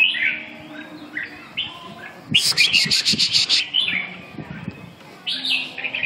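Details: Red-whiskered bulbul uttering short chirpy warbled phrases, interrupted midway by a loud, fast rattling burst of harsh pulses lasting about a second, then further bright phrases.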